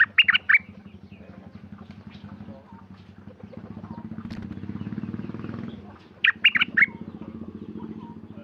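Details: Sooty-headed bulbul kept at home, recorded 28 December 2019: two short bursts of quick warbled notes, one at the start and one near the end, separated by a steady droning engine.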